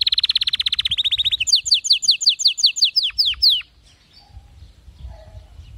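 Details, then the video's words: Canary song intended for teaching weak canaries to sing: a fast, even high trill shifting into a run of evenly spaced downward-swept whistles, ending in near silence. "اذا عندك كناري لا يغرد أو ضعيف الصوت أتركه يستمع اهذا الغناء وشوف النتيجة"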